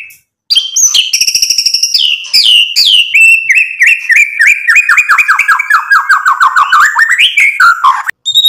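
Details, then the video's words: White-rumped shama in full song, meant to provoke other birds into replying and unloading its repertoire: high pure whistles stepping down into a long, fast run of short slurred notes that falls, rises briefly, then drops. "MURAI BATU GACOR bikin EMOSI ampuh buat PANCINGAN biar NYAUT BUNYI BONGKAR MATERI ISIAN"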